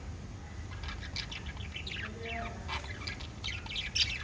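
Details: Five lovebirds chatter with quick, sharp chirps and squawky notes over a low background rumble.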